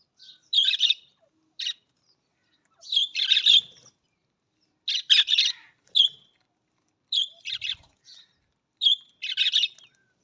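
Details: Budgerigar chattering in repeated bursts of harsh, scratchy, buzzy notes mixed with bright whistled chirps, roughly every two seconds, with faint low knocks in the background.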